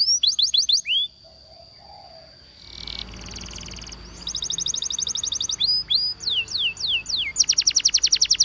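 A Waterslager canary sings high, fast rolling trills and sharply falling whistles, broken by a held steady note and bursts of rapid repeated notes. No other sounds are heard.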